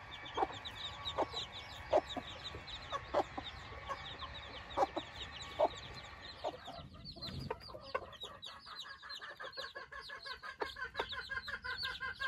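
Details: Silkie hens and their 24 newborn chicks outdoors for the first time: spaced hen clucks over a steady tone at first, then after a shuffle a dense chorus of high, falling chick peeps fills the rest.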